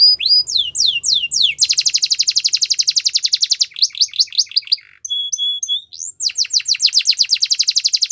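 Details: Canary singing to train young canaries: rising slurred whistles, a long dense rolling trill, short repeated slurs, flat clipped whistles, then another fast trill of sweeping notes.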